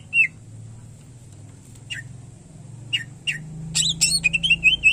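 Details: Greater green leafbird in active song: sparse short notes and clicks at first, then a busy burst of harsh chattering and quick rising-falling whistles over a low hum.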